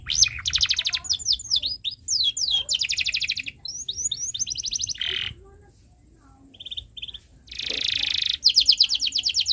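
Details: Canary tutor song meant for young birds learning to sing: quick falling whistles give way to dense rattling trills, a short quiet gap, then high piping notes and a loud buzzy roll.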